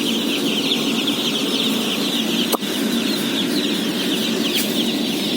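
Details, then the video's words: Day-old chicks at feeding, numbering about 17,000, fill the air with constant high peeping over low rumble, with a single sharp knock midway. "BABY CHICKEN SOUNDS"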